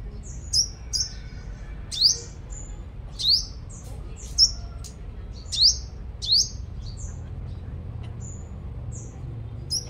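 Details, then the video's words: Singing five-colored sunbird used as a lure in Long Thành, Đồng Nai, Vietnam: bursts of shrill, steeply rising and falling high notes, denser early and sparser toward the end, over low steady hum. "Chim Hút Mật 5 Màu Mồi Siêu Hót"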